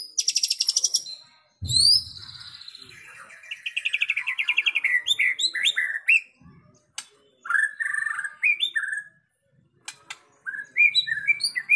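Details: Long white-rumped shama song on a track used to stir other shamas into singing: a high buzzy trill, fast pulsed note series, rich rising and falling whistles, and scattered sharp clicks between phrases.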